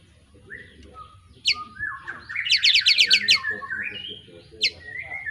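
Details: Young White-rumped shama of Tangerang lineage from Pemalang, Indonesia, just past its juvenile moult, singing varied whistles with sharp upward notes and a rapid buzzy series of about eight repeated notes mid-phrase.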